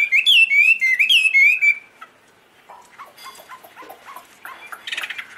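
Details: Chinese hwamei singing high, pure notes: loud clear whistled phrases with quick slurred, wavering notes for nearly two seconds, followed by softer, varied chirps and short whistles at lower volume.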